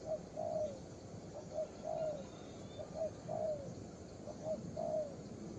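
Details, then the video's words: Young spotted dove cooing steadily, a short soft note then a longer downslurred coo, repeated about every second, against a persistent low rumble. "Đồng pha cườm 2dây.Clip444/ Chim tơ có bài, đánh ngay cội quá sung"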